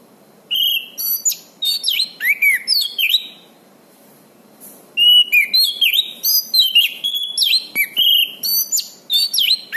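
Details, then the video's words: Orange-banded thrush singing steadily, recorded as a master song to train birds that have stopped singing; dense runs of high, varied whistles and quick sweeping notes, broken by one short silence midway. "suara anis cendana gacor"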